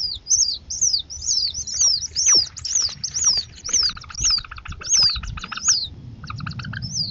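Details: Northern harrier family at dinner time, young harriers grown and competing aggressively for a meal the mother drops; high, thin descending whistled screams repeated about twice a second, mixed with dry clicking chatter.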